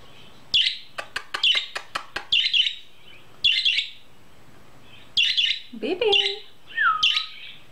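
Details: A young male budgerigar, a new baby bird in his cage, chirps in response to played budgie sounds, giving bursts of harsh, scratchy chirps and warbles with clicks and a rising whistle.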